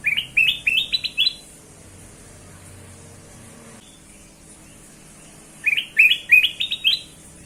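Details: Kutilang emas (black-crested bulbul) singing, used as a lure for other birds: two bursts of quick rising whistled notes stepping upward, about five per burst, separated by a pause of steady low hum.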